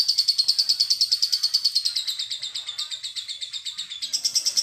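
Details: Lovebird giving a fast ngetik ticking trill, used to stimulate other lovebirds to sing: evenly spaced high clicks, about three per second, run on continuously and dip slightly in pitch before a brighter burst at the end.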